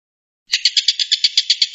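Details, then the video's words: Stork-billed kingfisher's 'tembakan' (shooting) call, used as master training audio for White-rumped shama. After brief silence comes a harsh, buzzy rattle of rapid clicking pulses, about eight per second, with no other sounds. "TENGKEK BUTO MASTERAN MURAI BATU"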